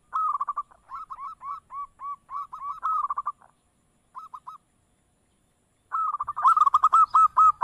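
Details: Local zebra dove lure sound, a long series of evenly spaced, clipped coos about two per second, a short pause, then a louder, faster run of ringing coos.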